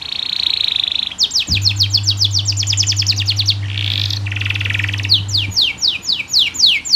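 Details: Chattering canary song for training other canaries: a buzzy note, then rapid high descending trill notes, soft scratchy bursts, and more sharp downward-sweeping notes, with a low hum through the middle.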